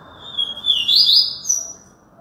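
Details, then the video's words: A single song phrase from a Yellow-bellied seedeater in Alagoas: a steady thin whistle that drops into a fast, bright, buzzy trill, then ends on a short high rising note. "papa capim"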